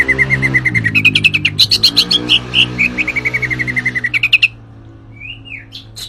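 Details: Javan white-eye in lively song: a fast even series of sharp high chirps climbing in pitch to a buzzy peak, then descending, ending with a soft slurred whistle; low steady hum behind.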